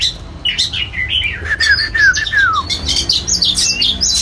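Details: White-rumped shama singing and displaying, giving a loud run of whistled notes with clear descending slurs, followed by a dense burst of high chirps and trills; faint low hum underneath.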